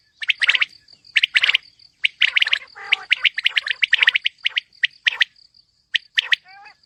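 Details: Calling female common quail in a mixed calling track for hunters: dense runs of bright clipped chirps in quick bunches, with a short lower gurgling note near the middle and a steady high-pitched whine behind.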